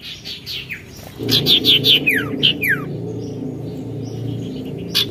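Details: Oriental magpie-robin singing a lively, challenging song: a rapid run of high chirps and clear down-slurred whistles, several per second, over a steady low hum.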